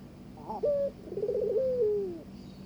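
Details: Barbary dove cooing to attract its partner for mating: a brief rising note, a steady hum, then a tremulous rolling coo that settles into a long, softly falling tone.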